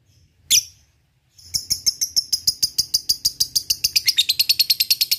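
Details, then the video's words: Lovebird in ngekek song, used as a lure to provoke rival birds: one sharp high chirp, a pause, then a fast, steady run of harsh chattering notes that quickens and slides slightly lower toward the end. "SUARA BURUNG LOVEBIRD paling di sukai lawan ! Di awali ngetik lanjut ngekek jadikan pancingan jitu"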